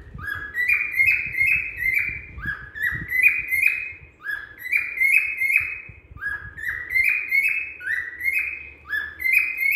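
A cockatiel whistles a quick run of bright, rising notes, repeated in rapid phrases.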